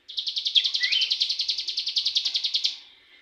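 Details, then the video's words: Young cigun, a caged songbird, learning a rapid trilled song: a fast, even run of buzzy high notes, about three and a half per second, held for over two seconds before fading. "cigun muda belajar ngebrem ak47"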